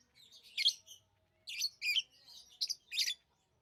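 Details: Tame pet lovebirds give a handful of loud, screechy chirps in two short groups, each note high and rasping.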